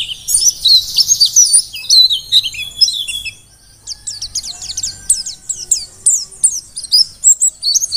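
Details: Wild-caught Mountain white-eye from Merapi in lively song: bursts of fast, high chattering twitter, a short lull, then a long string of quick, sharp repeated chirps and slurred notes.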